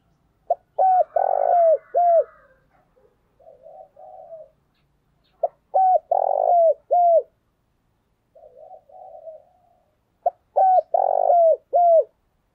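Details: Spotted dove used as a decoy, giving its lure call: a cooing phrase of short lead note, rolling purr and downslurred coos repeats roughly every five seconds, with softer murmured notes between phrases and no other sounds.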